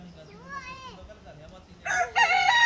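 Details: Chicken crowing: a faint, arching harmonic crow early on, then louder, rougher harmonic calls at the end over a low steady hum.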